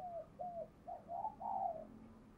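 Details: Spotted dove used as a decoy to excite males: a run of five soft, low hooting coos, the later ones longer and fuller, over a faint background hum.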